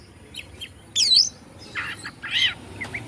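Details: White-rumped shama (kacer) song meant to provoke other shamas: a few scattered high notes, then a loud sweeping whistled burst and harsher chattering phrases separated by gaps.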